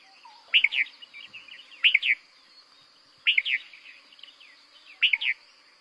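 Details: Red-vented bulbul (Pycnonotus cafer) song, a common bird of Bengal's towns and villages, in short, bright, bubbly "tiu tu tul" phrases of three or four notes, about every one and a half seconds, with soft chatter and steady high hiss.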